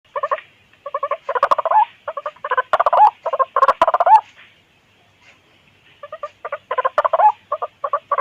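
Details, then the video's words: White-breasted waterhen calls used as a hunting lure to draw in birds of its kind: bursts of harsh, stuttering croaks in quick rhythmic runs, pausing briefly near the middle before the pulsing series resumes. "Suara pikat ampuh burung Ruak-ruak berisik"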